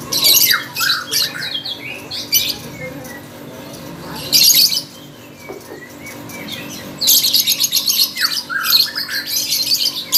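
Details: Lovebird singing at a contest in loud bursts of harsh, crackling chatter separated by quieter gaps with thin chirps, the outbursts lasting about a second each.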